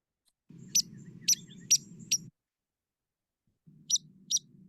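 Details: Northern mockingbird on Elon University campus, North Carolina, copies hairy woodpecker's sharp, high 'peek' notes in two short runs over a low murmur; hairy woodpeckers are almost never present there, suggesting secondary mimicry learned from other mockingbirds.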